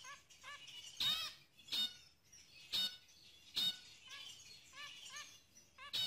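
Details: Zebra finches showing signs of pair bonding: short, nasal, trumpet-like calls given in quick pairs and triplets, mixed with loud sharp clicks and rattles about every second.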